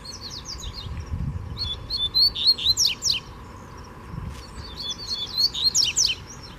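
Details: Wild free rusty-collared seedeater (coleiro) challenging a caged bird: two bursts of high, fast twittering song with rapid sweeping notes and trills, separated by a pause, over a steady low background hum.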